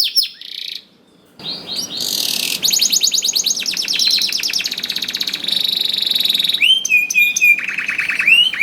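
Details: Canary in full song, played to draw other slow-to-sing canaries into singing: brief whistles, a pause, then loud high trills and rattling rolls at several speeds, ending in repeated rising looped whistles.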